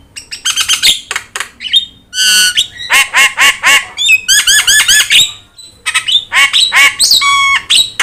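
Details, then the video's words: Javan myna with yellow eyes, a training model for other cage birds, mixing harsh rasping squawks, rapid stuttering rattles and clear steady whistles in a loud, varied sequence. "JALAK KEBO GACOR MATA KUNING | Untuk Masteran Kicau"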